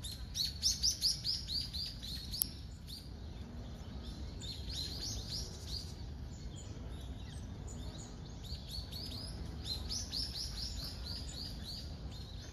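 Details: Common kingfisher at the Zenpukuji River in Tokyo on 22 November, recorded on a smartphone fitted with a telephoto lens: rapid runs of shrill, high whistles, densest early and late, above steady low environmental rumble.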